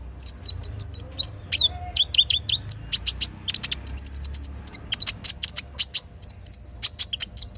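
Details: Morning song of a little spiderhunter, the kinin-filled style meant to stir birds to sing: a dense stream of sharp high ticks, downslurred whistles and chattering runs, with a soft low background hum.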